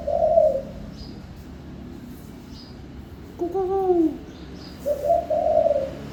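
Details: Spotted dove singing: low, mellow coo phrases open and close the stretch, with a separate arched, harmonic call in the middle and faint high chirps from other birds.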